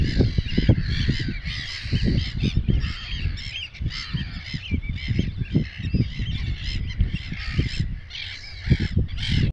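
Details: A flock of Eurasian oystercatchers on the grassland and mudflats of Terschelling, the Netherlands, giving shrill, piping 'kleep' notes that overlap in a continuous chorus, with heavy wind rumble underneath.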